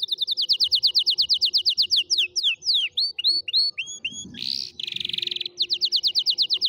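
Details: Canary singing to teach canary chicks: long rapid trill of identical notes, then curved swooping notes, a harsh buzzy burst, and a return to fast high trilling.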